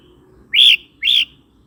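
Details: Red-whiskered bulbul song for provoking birds and tutoring young birds: two clear, whistled notes half a second apart, each swelling upward then easing down, over faint low background hum.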